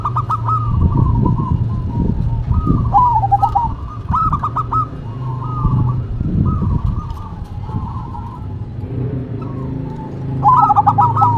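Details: Zebra doves in a local versus cemani duet, trading repeated bubbly cooing phrases of stuttered notes and rolling trills, with low rumbling background noise throughout.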